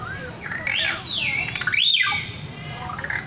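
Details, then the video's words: Lyrebird singing loud, clear whistled phrases: a low rising note, then bright high sweeps that arc up and down, including a sharp rising-falling slur near the middle, over a soft hiss of background noise. "Bird Sounds From The Lyre Bird"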